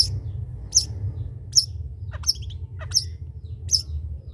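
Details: Long-tailed shrike trotol song used as a tutor for other birds: sharp high chips repeated a little over once a second, some with lower slurred notes, over a constant low hum.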